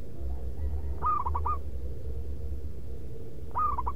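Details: Zebra dove used as a lure bird, singing loudly and rhythmically: a short burst of quick, rolling coo notes, then another starting near the end, over a steady low rumble of background noise.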